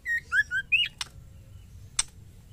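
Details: A female white-rumped shama gives a 'ketrekan' call to a male. It is one rapid phrase of four clear whistled notes, low, dipping, then higher, followed by two sharp clicks.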